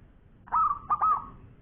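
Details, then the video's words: A local zebra dove gives a long, soft, mellow coo at mid pitch: one drawn-out tone followed by two quick rounded notes, against a faint low background rumble. "Bunyi Perkutut Lokal Gacor Suara Panjang"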